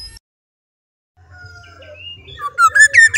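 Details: Black-naped oriole in full song: after a quiet start with faint thin notes, a loud fluty whistled phrase bursts in near the end, a few rich syllables cut off abruptly, over a low steady hum.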